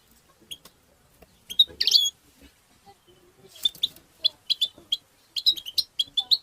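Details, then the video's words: European goldfinch giving batbata and satsata twitter, meant to stimulate songbirds: sparse high chirps, then a dense buzzy burst, followed by a lively run of clipped, evenly spaced tweets that quicken toward the end. "بتبتة وستستة الحسون بتبتات المقنين لتحفيز الطيور المغردة تبتيب بتبته"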